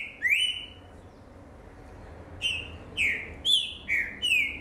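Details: Green-winged saltator, a young caged bird from 2019, opens with one loud upslurred whistle, falls silent, then delivers five rapid full whistled notes alternating rising and falling pitch, over low room noise.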